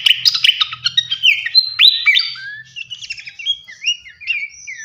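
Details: Flycatcher (srikatan kipas) singing, used as a tutor recording for training songbirds: a fast, varied run of high whistles, sharp chirps and rising and falling slurred notes, delivered densely with no pauses.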